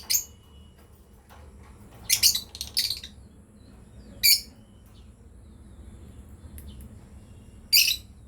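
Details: Intermittent chirping from a breeding pair of lovebirds: a quick cluster of three shrill notes, then single sharp chirps spaced several seconds apart over a steady low hum.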